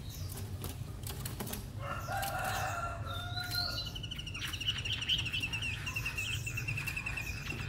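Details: Three-month-old caged white-rumped shama, newly arrived in Hanoi and not yet bathed, singing at length: varied clear whistled phrases, some sliding, over a steady low hum, with a fast even trill repeating in the background.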